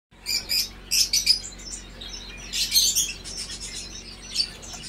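A European goldfinch twitters in quick, high, tinkling bursts, several phrases over a few seconds, with a faint low hum underneath.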